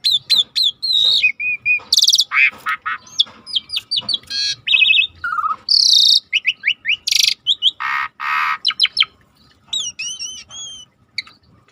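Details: Starling singing hard as a master recording: varied high whistles, harsh rasping bursts, buzzy trills and sweet slurred notes in a long, fast, continuous sequence.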